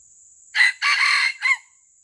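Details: During the traditional luring of wild junglefowl, a junglefowl gives a loud raspy crow in three parts: a quick opening note, a drawn-out rough middle, and a short sharp close. A faint steady high-pitched insect drone sounds behind it.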